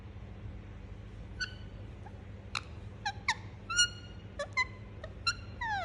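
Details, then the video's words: Indian ringneck parakeet, a pet parrot, chirping indoors: short harmonic chirps and clicks at irregular intervals, some notes sliding downward, over a steady low hum. "Parrot Chirping Sound"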